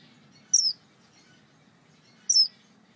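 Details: Star Finch male calling for his mate, giving two brief, piercing, high-pitched down-slurred call notes about 1.8 seconds apart against faint low background hum.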